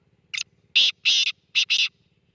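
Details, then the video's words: Loud, close black francolin giving harsh, scratchy calls: a short opening note, two long grating bursts, then another pair of rasping notes, with only a faint low hum in the background. "kala teeter ki awaz"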